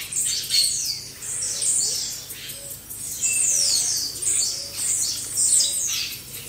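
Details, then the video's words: Group of blue-black grassquits recorded for training caged birds in Brazil: many overlapping high, thin, downward-sweeping buzzy notes repeated in quick bursts, with a soft low cooing underneath. "Baderna de Tiziu"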